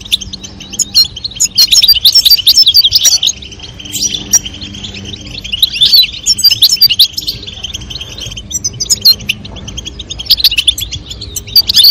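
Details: European goldfinch pair, a female calling and a male singing to stimulate mating; dense bursts of rapid, tinkling, twittering notes high in pitch, pouring out in overlapping phrases with brief pauses between runs.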